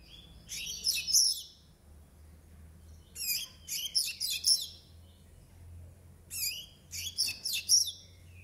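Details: Brown-plumaged double-collared seedeater, nine months old, repeats three bursts of rapid, high, scratchy twitters mixed with descending whistled slurs, roughly every three seconds.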